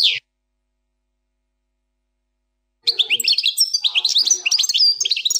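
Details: Plak mine song style from a European goldfinch, fourth section: a brief opening note, a long silence, then an energetic run of high chirps, slurred whistles and jingling twitters.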